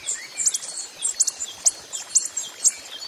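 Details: Coppery-headed emerald, a hummingbird recorded in the wild, repeating thin, high-pitched chip calls about every half second, occasionally in quick pairs, against steady ambient hiss.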